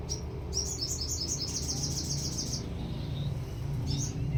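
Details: Canary delivering a bright, bouncing trill of quick high notes for about two seconds over a steady low background rumble, with a short extra phrase near the end.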